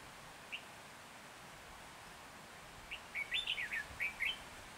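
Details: Caged red-whiskered bulbul used as a decoy to lure wild birds for trapping in Hòa Bình, Vietnam, on 14 January 2021: one short note, then a fast warbled phrase of rising and falling whistles over steady hiss.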